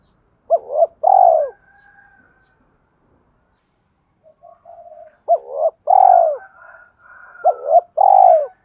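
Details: Spotted dove coos used as a lure to rouse decoy birds in training: a double hoot and falling coo, then a quiet gap, then three more phrases in quick succession, with a thin faint whistle alongside.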